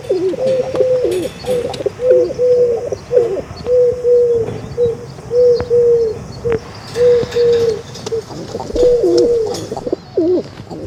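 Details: Pigeon cooing in a steady series of low, drawn-out, slightly wavering notes, repeated roughly every second with short pauses, over a soft background hum.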